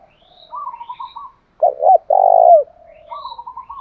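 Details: Spotted dove in 'thổ pha' style used to make a caged bird sing: two short curved coos and a long vibrating note falling at the end, framed by thin twittering chirps from other small birds.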